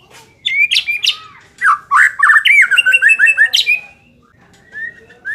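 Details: White-rumped shama song aimed at making a less aggressive bird more competitive; a burst of rapid varied whistles and chattering notes, then a pause and a single soft rising whistle.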